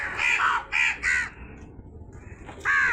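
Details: Crow giving loud, raspy caws: three quick harsh notes in the first second, a pause with faint background noise, then another strong caw at the end.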